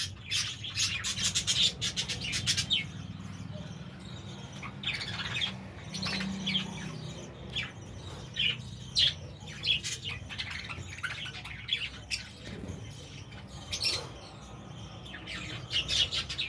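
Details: Several budgerigars in an aviary warble together in a constant stream of chirps, squeaks and rapid chatter.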